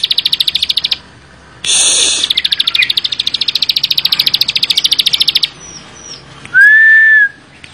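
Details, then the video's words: Bar-winged prinia in full, tightly packed song: fast runs of high, sharply repeated buzzy notes, interrupted by a loud harsh burst and later a steady pure whistle. "ciblek sawah gacor full bren rapat"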